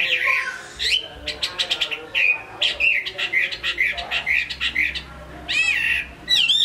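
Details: Chinese hwamei kept in a cage in Hai Phong, Vietnam, a strong singer, delivering a varied stream of clear whistles, short trills and rapid chirped notes with hardly any break, ending in higher looping whistles.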